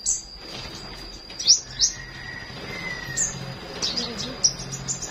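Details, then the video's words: Morning flowerpecker chirps: brief high upswept notes in irregular bursts, a long falling lower whistle in between, faint low murmuring and a constant high whine beneath. "Buổi Sáng Google Maps Hệ Thống Nghệ Thuật Đam Mê Chim Sâu Hót"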